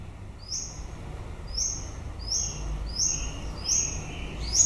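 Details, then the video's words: White-rumped shama in song late in the breeding season, giving high, thin, short whistled notes repeated about once a second, with some lower slurred notes joining later, over a low steady hum. "Chòe lửa bông hót cuối mùa sinh sản"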